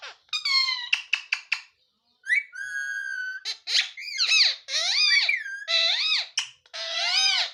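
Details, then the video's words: A pet talking parrot indoors gives a quick run of harsh, squeaky calls, then a long steady whistle and a string of loud, warbling, rising-and-falling squawks. "parrot creeping sound | nice mithu talking"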